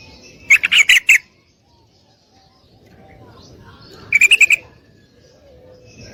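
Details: Yellow-vented bulbul female calling for a male to mate, giving two short bursts of rapid, harsh chattering notes about three seconds apart, with a faint hiss between them.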